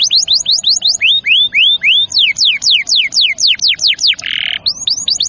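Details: Canary song used to prompt young canaries and those that have stopped singing: sweeping high notes in varied rolls, some rising, some falling, broken by one short buzzy burst.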